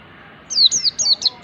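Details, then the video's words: Mountain white-eye song used as training material for other birds: four clear, high whistled phrases, each sliding downward, given in quick succession after a brief quiet start. "pleci ngalas belajar materi ini bisa buat masteran segala jenis burung pleci"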